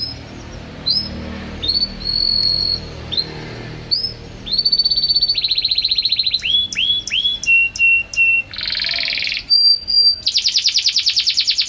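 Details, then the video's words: A canary sings for home-trained birds, delivering varied phrases: short whistles, a buzzy rapid trill, quick upward slurs, a harsh burst and a fast high chattering trill at the end. "Suara KENARI Juara Gacor terbaru || Jitu untuk Masteran dan Pancingan kicau dirumah"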